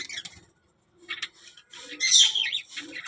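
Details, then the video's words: Budgerigar, described as a talking parrot, giving short scratchy chirps and squawks in bursts separated by brief silences. "budgies parrot talking | chidiya ki awaz"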